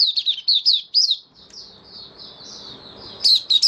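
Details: Caged white-eye singing on 18 May 2022 after completing regular deworming treatment: rapid high, thin chirped notes, each sliding downward, in a quick run, then a faint pause before a loud burst resumes.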